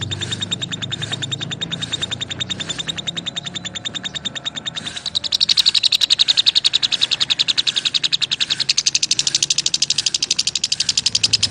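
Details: Lovebirds chirp in a long, rapid stream of high pulses. The chirps are softer at first, then louder and denser in the second half, over faint low hum.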